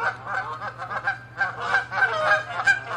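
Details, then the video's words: Canada geese in an angry territorial fight; loud, close, rapid honking, almost three calls per second, each one nasal and richly layered, in an unbroken, excited stream. "Geese fighting & honking loud sounds"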